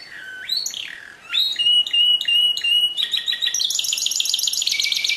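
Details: Canary in pure song from 2016, opening with swooping whistles, then a fast pulsed trill, shifting into a higher, denser rolling trill.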